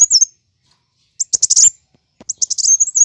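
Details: Plain sunbird fighting song used as a lure for kept birds: three short bursts of shrill, high-pitched twittering with quick stuttered notes and brief sweeping whistles, separated by silent gaps.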